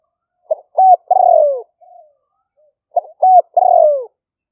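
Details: Live phone recording of a spotted dove used to lure wild doves for trapping, made in rice fields during the rainy season in Roi Et, Thailand, in the liu fueang style. Two matching phrases of clipped notes each end in a long, sagging coo, with a faint soft note between.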